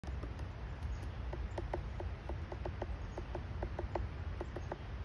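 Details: Woodpecker pecking: a run of sharp, dry taps in irregular clusters, some evenly spaced and some quick doubles, over a constant low rumble and a steady high hiss.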